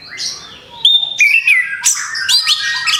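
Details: Orange-headed thrush after its moult opens with a soft slurred whistle, then a clear steady whistle and a falling note before breaking into a quick series of varied chirps and squeaky notes.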